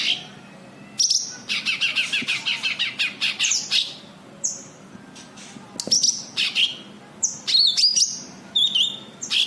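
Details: A cucak kinoi white-eye sings as a lure for kinoi birds: a long run of rhythmic high chirps, roughly five per second, then scattered sharp notes and twisting whistled phrases.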